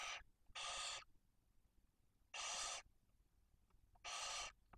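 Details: Barn owl at a nest in Cabañeros National Park, Spain, during food delivery, with a female and two chicks one and four days old; four loud, broad, breathy hisses, each about half a second, spaced irregularly over quiet background.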